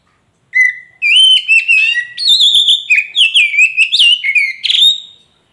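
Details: Loud, rich song of a poci magpie robin, used to coax a caged bird into replying: a long series of varied whistled notes, sweeping and warbling, with brief clicks between phrases.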